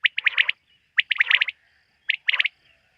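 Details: Night call of a quail: three quick bursts of rapid, bright, high notes, each burst packing four or five clipped syllables, spaced about a second apart.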